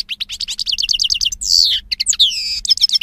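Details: European goldfinch song from 2016: a steady run of rapid repeated high chirps, followed by long buzzy slurred notes and more quick twittering, with a faint low hum behind.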